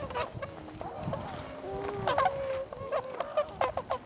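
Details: Tundra swans filmed on 26 February 2012: scattered nasal honks, some drawn out and level, others short and clipped, over a low background murmur, with a burst of quick calls near the end.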